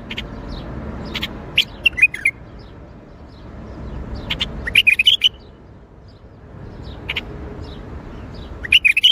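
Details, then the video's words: Bulbul singing in the Baghdadi style: short, bright, warbled phrases rising and falling, given in bursts near the start, middle and end, with sharp clicks between and a faint low rumble underneath. "تغريد بلبل طور بغدادي"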